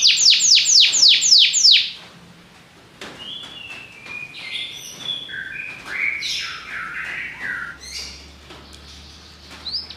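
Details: Belgian canary opening with a quick series of descending whistled sweeps, followed by quieter varied chirps, short flat whistles and warbled phrases at different pitches.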